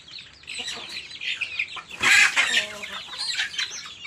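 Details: Chicks calling as they feed, with busy overlapping high peeps and a sudden loud, noisy burst partway through, then a return to steady chirping.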